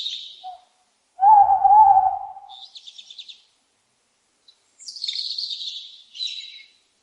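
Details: An owl's loud, sustained hoot with a faint wavering tone, amid bursts of high, buzzy chirps and trills from other birds before and after.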